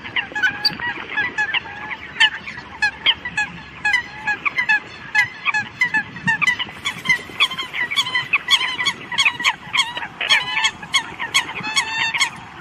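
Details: Eurasian coots calling the flock: a dense, continuous chorus of short, sharp, honking notes from many birds, overlapping almost without pause for the whole stretch.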